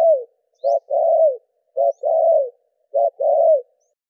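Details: Steady spotted dove cooing in 'đảo nước' style, a lure for captive doves: three phrases, each a short note then a longer level coo that droops at the end, in a quiet setting.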